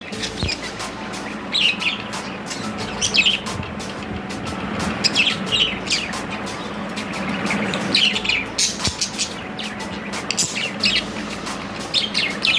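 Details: Pet budgerigars playing chatter busily and happily in quick, scratchy chirps and warbles over a low steady hum.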